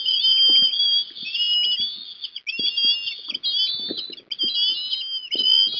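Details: Wild Osprey at Port Lincoln, Australia, on 22 December 2021, during an afternoon fish delivery to a young bird: a continuous stream of high, whistled, piping chirps, rising and falling, with soft low thumps and rustling beneath.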